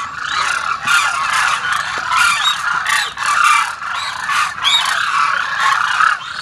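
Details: Flock of Demoiselle cranes landing on a feeding ground at Kheechan, Jodhpur, Rajasthan, India: dense, continuous overlapping trumpeting and rolling calls from many birds, a loud steady chorus with no pauses.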